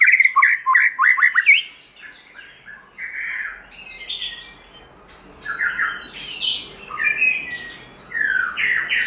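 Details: White-rumped shama in forest-voice song: a rapid chattering run of notes at first, followed by softer scattered whistles and chirps over a light background hiss.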